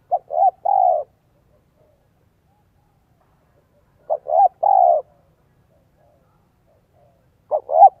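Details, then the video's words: Spotted dove decoy voice, style 'giọng son 1 cốt lỡ', for luring wild doves. Three phrases come about three and a half seconds apart, each two clipped notes leading into a drawn-out, slightly falling coo, in quiet surroundings. "CHIM CU GÁY GIỌNG SON 1 CỐT LỠ KÍCH BỔI NHANH NỔI HIỆU QUẢ NHẤT"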